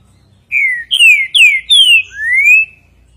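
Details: Green-winged saltator singing a five-note phrase: clear whistled notes, mostly slurring downward, the last one rising, in about two seconds over a quiet background.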